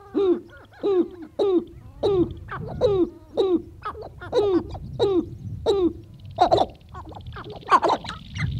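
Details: Sharp-tailed grouse males on their lek in early April morning, north of Great Falls, Montana, about 30 birds: a rapid run of hollow, cooing hoots about every half second, then higher cackling and chattering notes from several birds.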